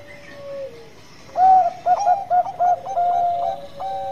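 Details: Zebra dove of the Bangkok type singing vigorously as a lure song: a quiet opening note, then a quick run of clipped, mellow cooing notes, several rapid stutters ending in a longer held coo.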